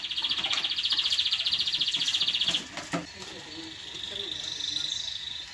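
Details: Canary singing to stimulate mating and tutor chicks: a loud, fast, evenly pulsed trill for about two and a half seconds breaks off, followed by faint scattered clicks and a quiet, thin, sustained note.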